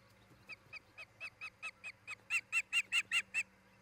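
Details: Osprey at a nest camera near Charlo, Montana, where a pair is nesting, recorded 10 July 2018: about fourteen sharp, whistled chirps in quick succession, roughly five per second, growing louder toward the end over a steady low hum.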